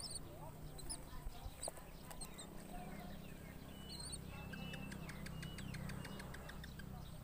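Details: Common myna chicks in their nest, fed locusts and crickets: short high chirps and squeaks, then a rapid run of sharp clicking notes toward the end, over a steady low hum.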